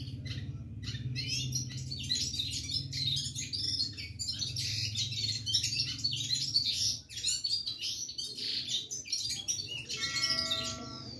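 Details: Red-fronted serin singing non-stop: a dense, fast stream of high twittering and trilled notes with scarcely a pause, over a steady low hum, ending in a few clear, even-pitched whistled tones.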